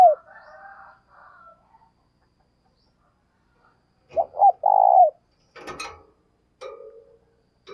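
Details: Spotted dove kept as a decoy bird, cooing to stimulate other doves to coo: one phrase of two short notes and a long drawn coo ending in a downward slide, with clicks and scraping noises before and after.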